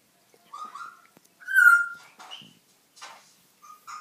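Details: Indoor African grey parrot, new to the household, talking and singing: a string of short speech-like sounds mixed with pure whistled tones, one loud sliding whistle in the middle, then softer fragments and a final brief whistle.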